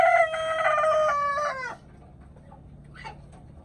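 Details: Closing part of a chicken crow: a strong, sustained harmonic note that sags and cuts off after under two seconds, followed by quiet background with a few faint soft calls.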